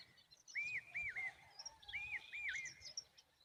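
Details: Common babbler making noise to protect its babies: two pairs of clear whistled, rising-then-falling notes, each pair about a second long, over faint high chirping from other birds and low background noise.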